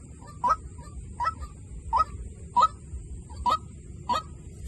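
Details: White-breasted waterhen used as a decoy, calling six rough, clucking notes spaced under a second apart, against faint low rumble and a constant high-pitched hiss.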